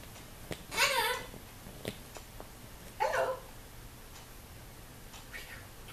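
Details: Indoor severe macaw watching a visitor at the window: two short, harsh squawks about two seconds apart, with faint clicks in between in a small room.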